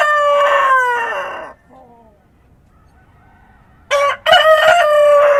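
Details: Countryside dawn with a rooster crowing: the end of a long crow slides downward, faint distant calls fill a quiet stretch, then another crow starts with a clipped syllable and a strong sustained note.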